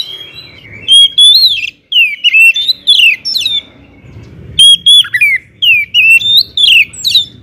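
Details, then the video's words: Kacer, the Oriental magpie-robin, delivering loud, rich song meant to spur other magpie-robins to sing: bright whistled slides and chattering notes in two vigorous phrases with a brief lull between. "kacer gacor ngeplong SUARA KERAS BIKIN KACER Lain NAIK EMOSI,, PANCINGAN KACER AGAR RAJIN BUNYI"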